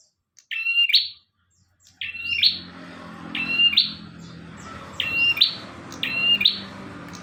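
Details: Master recording of a bar-winged prinia in lively song: a strident phrase, a pause, then four more ringing phrases about every second over a low hum.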